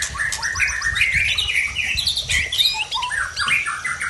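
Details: Tangse white-rumped shama from Aceh in fierce post-moult form; loud, fast medley of bright whistled phrases, sweeping slurs and chattering notes delivered almost without pause.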